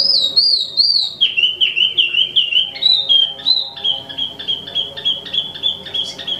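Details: Wambi mini (Tieu Mi), imported, singing non-stop: wavering high whistles at first, then a long run of short, evenly pitched chirps repeated rapidly, roughly two or three each second.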